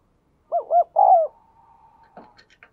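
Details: Spotted dove kept in captivity, noted for its 'đồng kim' voice and frequent cooing; one short phrase of two rolling notes and a longer drawn-out coo, followed by a faint hum and a few clicks.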